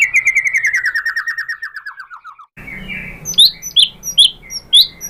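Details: White-rumped shama song meant to make other shamas call back, starting with a long descending series of rhythmic repeated notes, then after a break several sharp high whistled notes spaced about half a second apart.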